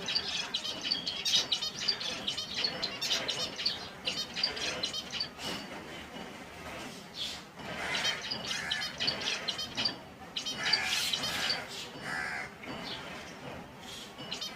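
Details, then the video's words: Chorus of several finch species recorded in their natural habitat: dense overlapping high chirps, tweets and rapid trills, rising and falling in bursts throughout with steady low background noise. "Enjoy the Serene Sounds of Finch Birdssong || ফিন্চ পাখির শব্দ || ফিন্চ পাখি কেমন করে ডাকে"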